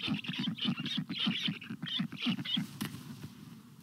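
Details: On a hot 25 June 2022, black stork nestlings beg for water from a parent. Quick, hoarse, pulsed calls tumble out about three per second, fading toward the end with a single sharp click near the close.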